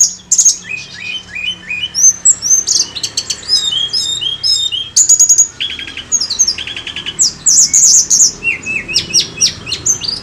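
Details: Tledekan gunung (mountain flowerpecker) song used as a lure, loud and continuous: dense high-pitched twittering, repeated short down-slurred notes, sharp ticks and brief buzzy rattles, very energetic, in a clean recording with little background.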